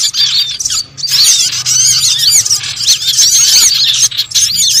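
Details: Small birds used as a lure sound for bird trapping: a dense chorus of high, thin chirps and arching squeaks overlapping without pause, with a brief dip in the chatter near the first second.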